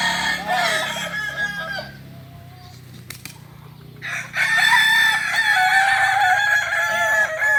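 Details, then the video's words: At a kukuak balenggek crowing contest in Panyakalan, Solok, a rooster's stepped crow fades into a quiet stretch with a sharp click, then a loud, sustained chorus of several crowing cocks. "Latberan ayam kukuak balenggek di panyakalan solok"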